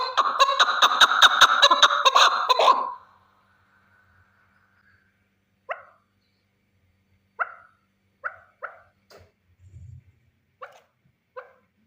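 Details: A male chukar partridge bursts into a dense, loud cackling rattle lasting about three seconds, then falls to scattered single clipped notes spaced a second or more apart in quiet surroundings.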